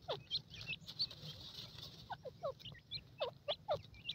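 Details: Francolin chicks playing in a jungle give thin, downward-slurred peeping notes, several per second in irregular bursts, with softer high chirps behind, all fairly quiet.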